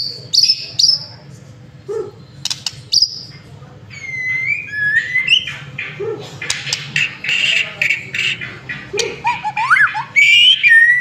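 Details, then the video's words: Shama lure song, a masteran recording for prompting a white-rumped shama to sing: high whistles and clicks, then rising whistled slurs, a burst of dense rapid chattering notes, and a final bright rising whistle. "Murai Batu Masteran sekali Pancing Langsung GACOR"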